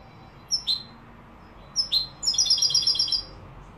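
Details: European goldfinch singing in the Malaga song style, Morocco: two short high chirps, then a rapid liquid trill of repeated bright twittering notes lasting about a second.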